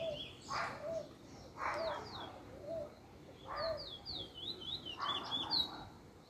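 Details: A chestnut-bellied seed finch (Trinidad bullfinch), a male in first black plumage, on 10 October 2020, sings quick, high, slurred whistles over rougher notes every second or two, with low background hum.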